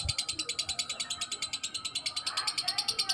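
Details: Balibu lovebird in long ngekek chattering: sharp, high, clipped notes repeated very evenly about six times per second, like rapid ticking, with faint low background sound.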